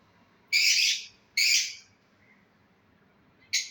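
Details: Breeding pair of lovebirds: two loud, harsh, high squawks a second apart, then a quiet gap and a third short squawk.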